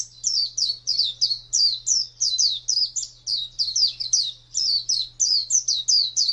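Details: Oriental white-eye performing wild ngalas song, rapid high whistled notes that swoop down and up, delivered in a fast continuous stream with tiny gaps; steady low hum present.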